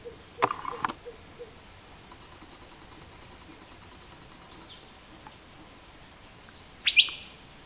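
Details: Asian fairy-bluebird calling: thin, high whistled notes recurring a few times over eight seconds, with a sharper, louder note near the end, plus a couple of brief clicking knocks early on and a quiet background.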